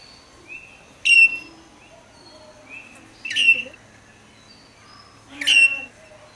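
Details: Princess parrot (Polytelis alexandrae), Central West Australia: three harsh, grating calls about two seconds apart, with faint thin whistles from other birds between them.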